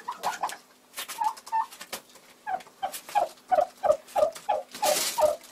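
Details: Frustrated broody hen of the Bronze turkey breed, February, uttering a steady series of short, throaty, tonal putts about three per second, each slightly falling, with a burst of rustling noise near the end.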